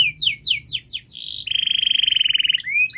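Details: Long, speedy canary song offered as a model to make young canaries sing sooner: a run of descending whistled sweeps gives way to a steady, fast pulsed trill, ending on a short upward note.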